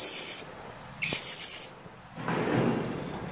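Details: Serindit, or blue-crowned hanging parrot, a decoy bird whose calls summon others toward a trap. Two sharp, high, sizzling trilled bursts in quick succession are followed by a soft rushing noise.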